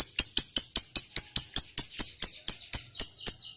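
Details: Lovebird of the fighter type giving its long 'ngekek panjang' chatter, used as a lure to set silent lovebirds singing: sharp high chips repeated about five times a second, steady and clean throughout.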